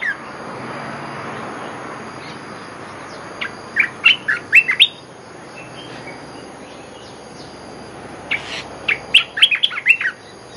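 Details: Olive-winged bulbul lure song in two bursts of bubbly, liquid warbled phrases separated by several seconds of quiet hiss, the second burst livelier with rapid chirping notes.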